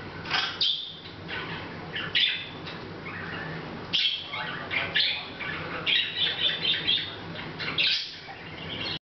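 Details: Pet Hahn's macaw quietly chattering on August 10th 2012, unaware of the camera; rasping, buzzy squawks and chirpy notes roughly every second or two, some overlapping in dense bursts, with a soft background hum.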